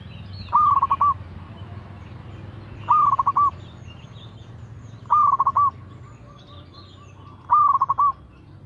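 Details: Local Indonesian zebra dove (perkutut) singing steadily, used as a lure to set other doves singing: four cooing phrases about every two seconds, each a bright opening note and a quick run of short rolling coos, over low background hum.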